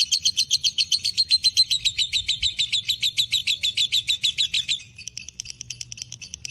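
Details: Fighter lovebird in breeding condition delivering long ngekek chatter: loud rapid rasping notes for about five seconds, then dropping to softer, thinner chirps at the end, with quiet low hum behind.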